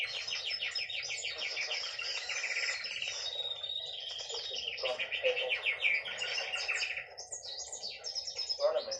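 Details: Steady rolling trills from a singing hen canary, the notes rapid and even at first, later giving way to looser chirps and upward-flicking whistles.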